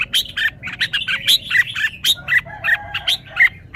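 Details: Rapid, continuous chattering song from a red-whiskered bulbul, with dense, evenly spaced bright notes and whistles tumbling about five times per second throughout.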